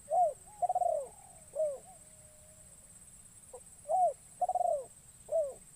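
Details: A spotted dove used for luring wild doves calls in a forest. Two rounds of the phrase each have an arched coo, a throbbing rolled coo and a falling coo, separated by a pause of about two seconds.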